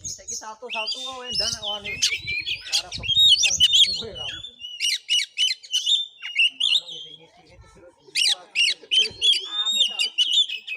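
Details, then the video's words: Oriental magpie-robin in combative song at a village in Bengkulu, Indonesia: dense harsh squawks and chatter, then clusters of repeated sharp notes with brief pauses, some lower harmonic calls. "Kacer tarung|pancingan Kacer gacor|Kacer Konslet|burung Kacer"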